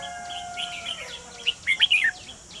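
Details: Trap decoy red-whiskered bulbul, recorded 28 June 2020 while luring wild birds: a quick run of three or four loud, liquid, up-and-down whistled notes after faint steady tones and background chirps.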